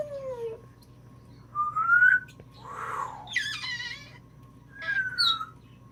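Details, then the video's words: Female African grey parrot, a household pet, imitating sounds. Gliding whistles rising and falling, a hoarse breathy noise, and a brief speech-like phrase, over low indoor hum. "My Awesome new African Grey Smokey ~ Sneezing laughter messenger ring & more"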